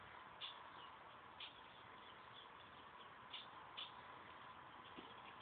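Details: Pet tufted titmouse being hand fed, begging with short, high, thin chirps, four clear notes spread unevenly over five seconds, set against a steady background hiss with a faint low knock near the end.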